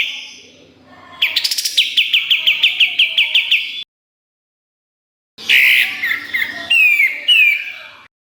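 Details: Pied triller song for training songbirds: an accelerating run of sharp repeated chirps, silence, then a harsher burst with slurred whistled notes.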